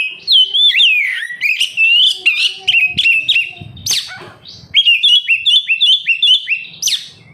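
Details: Oriental magpie-robin song meant to spur captive kacer into singing: rolling whistled phrases with looping notes, a harsh rasp midway, then quick repeated bright chirps.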